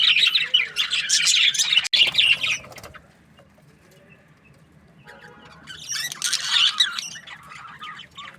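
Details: Budgerigars, Australian parrots, chirp in two bursts of dense warbling chatter separated by about two seconds of near silence, with a faint low murmur during the lull.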